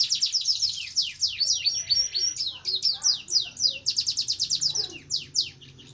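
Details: In breeding condition, a red siskin sings ngerek-style: fast high downward-sweeping notes in bursts, with scratchy twitters between, run together in long rattling phrases, fading at the close; soft low hum throughout.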